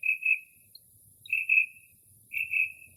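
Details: Night song of a Northern mockingbird in early spring, mimicking various bird calls outside a house, with no urban noise. Three drawn-out whistled phrases, each a double note with a fading tail, spaced about a second apart, over a constant faint high hiss.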